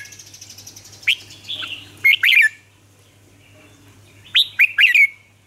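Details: Caged red-whiskered bulbul in Vietnam singing a lure song to coax other captive bulbuls into song: short bright whistled bursts of rising and falling notes in two clusters, over a constant low electrical hum.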